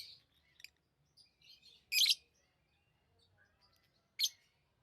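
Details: Tame pet lovebirds chirping: a few sharp, high, shrill chirps spaced over several seconds, with two loud bursts standing out and quiet gaps between them.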